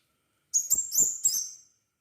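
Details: Crimson sunbird, known locally as sepah raja, singing a short phrase of four very high, thin, sharp chirping notes with quick rising sweeps, delivered within about one second on an otherwise silent background.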